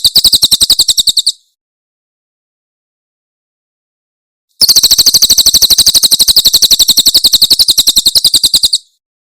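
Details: Rapid 'tembakan' song of a Javan prinia from Cililin, used for tutoring songbirds: a short burst of high chips, a three-second silence, then a four-second stream of fast, piercing notes.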